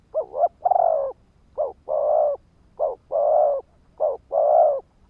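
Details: Spotted dove used as a decoy, its call meant to lure and trigger wild males; low mellow coos come in three phrases, each a short note followed by a longer held coo, about every 1.3 seconds against a quiet background.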